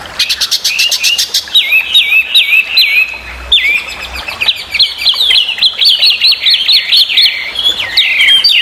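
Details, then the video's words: Chinese hwamei, a noisy, very vocal bird used as a training model for songbirds, giving a rich run of rapid looping whistles, repeated rising-and-falling phrases that blend into a continuous warbling stream with high sharp chips above. "burung wambi super berisik/Hwamei bird"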